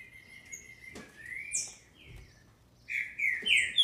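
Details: Female green-winged saltator kept by a Brazilian breeder, played to rouse males: soft, drawn-out whistled notes, then a lively run of rapid, high, slurred chirps toward the end.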